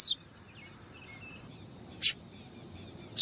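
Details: Double-collared seedeater (Sporophila caerulescens), a female calling to excite a male: three brief, high, sharp chip calls spaced one to two seconds apart, over faint hiss and soft distant twittering.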